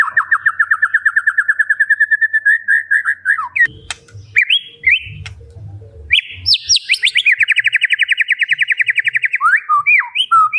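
A white-rumped shama sings a long, rapid run of repeated mid-pitched notes, a brief pause with low thumps, then high rippling trills and rising and falling whistles.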